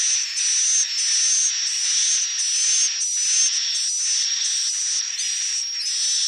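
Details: Swiftlet sounds used to coax edible-nest swiftlets into building nests at a chosen spot: an almost unbroken wash of high, sizzling twitters carrying steady whistle-like tones, with only brief breaks.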